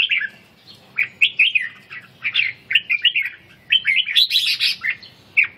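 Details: Red-whiskered bulbul in training for the ché singing style while its stamina is being rebuilt; bright warbled, slurred notes in quick bursts, with short pauses between phrases and a louder, higher flurry near the end.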